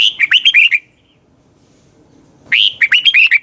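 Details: Morning song of a red-whiskered bulbul meant for training other birds: two lively phrases of rapid, ringing chirps separated by a short silent pause.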